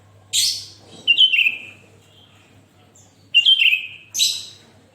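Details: Energetic Sooty-headed bulbul song for setting other bulbuls singing: harsh buzzy bursts alternating with falling whistled notes, about four phrases over five seconds, steady low hum underneath.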